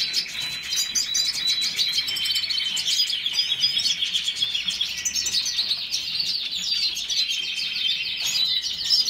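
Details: Sustained twittering song from a Red siskin: dense high chirps, trills and rising whistled phrases run together without a break, with a brief louder burst near the end.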